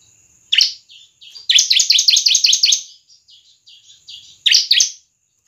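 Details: Bar-winged prinia, used to lure and train other birds, gives a fast run of bright, evenly spaced high chirps, framed by single sharp notes and softer twitters.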